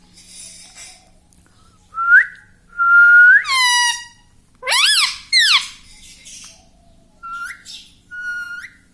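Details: Pet parrot talking indoors, words such as mummy and papa; short rising whistles, then a strained harmonic syllable and two sharp arching calls, ending with two brief upturned whistles.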